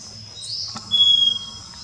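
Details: Scaly-breasted wren singing in Colombia: a single long, pure, level whistle lasting about half a second, set against steady high-pitched insect drone and faint background rustle.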